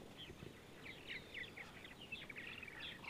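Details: Several purple martins on a sunny Sunday morning in central Ohio, giving sparse, quick chirps and short twittering notes in irregular bursts, with soft low background rumble.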